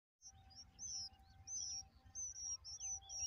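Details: Bulbul; begging calls; chicks begging for food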